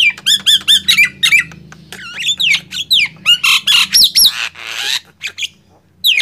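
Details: Nias hill myna versus black-winged myna in a loud singing match: quick repeated bent whistles, then a rhythmic string of about eight squawky notes and a rough burst.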